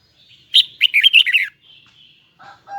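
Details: Kept red-whiskered bulbul from Hue pouring out a high, twisting double-toned phrase of rapid warbled notes lasting about a second, followed by faint thin notes and two lower chirps.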